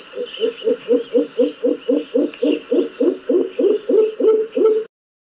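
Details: A Speckled Pigeon, a Southern African bird, gives a steady run of about seventeen deep, hollow coos, roughly three or four per second, swelling slightly and then stopping abruptly.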